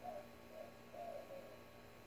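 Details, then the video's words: Quail in a Tucson desert backyard give soft, low, hollow calls, four short clucks about half a second apart, over a faint steady hum; the bird repeats this weird call every few seconds. "Quail making funny sounds"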